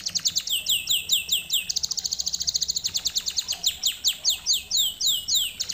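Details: Lesson song for young canaries to copy: a canary runs through series of downward-swooping whistled notes, a rapid buzzy roll in the middle, then more slow swoops and fast repeated chips.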